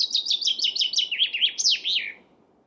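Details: Chaffinch singing a rapid cascade of short, sweet notes that step downward in pitch and close with a loud terminal flourish, the phrase lasting about two seconds before fading into quiet.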